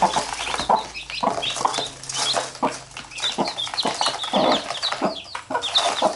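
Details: A domestic hen with her chicks, which bite her as she picks them up. Low, throaty clucks sound in short bursts beneath a steady layer of thin, high chick peeps and rustling.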